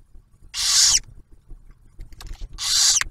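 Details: First owlet's meal at a barn owl nest box in Ohio, the male delivering food and the female sharing it: two strong breathy hisses about two seconds apart with faint scratching and shuffling.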